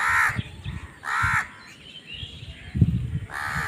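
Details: Harsh caws from a crow squabbling for food, three strong calls spaced roughly a second and a half apart, with low thumping noises between them.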